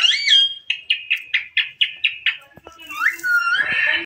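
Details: Green desi parrot playing in front of a mirror gives a rising whistle, then about ten short squawks evenly spaced, followed by clicks and a long slurred whistled call.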